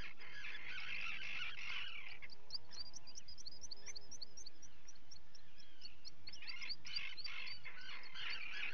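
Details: Guillemot chicks being fed at a seabird colony on 28 June 2020: a rapid series of thin, high peeps, about three per second, over rough, growling adult calls and constant colony noise.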